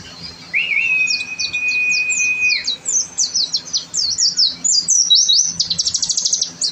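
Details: Oriental white-eye (pleci) in energetic song: after one long flat whistle, a rapid stream of very high, thin, twittering notes speeds into a dense buzzy trill near the end.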